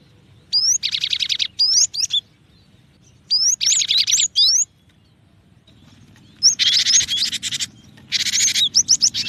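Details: Cinereous tit (gelatik batu) giving short rising whistles followed by harsh, buzzy rattling phrases, in three separate bursts with quiet gaps between them.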